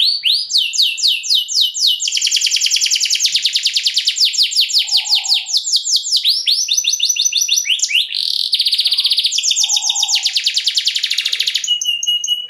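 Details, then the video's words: Canary in long-duration 'luxurious song' used as a lure to set other canaries singing: fast rolling trills and rapid repeated chirps, shifting between buzzy tours and sweeping notes, with brief low murmurs underneath. "KENARI LAGU MEWAH DURASI PANJANG, SEKALI DENGAR SUARANYA LANGSUNG NYAMBAR"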